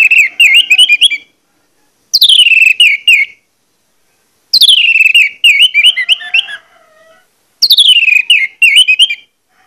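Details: Orange-headed thrush, singing to stir other males into song; four energetic bursts of descending then warbled whistled notes, each about a second long, spaced by brief silences.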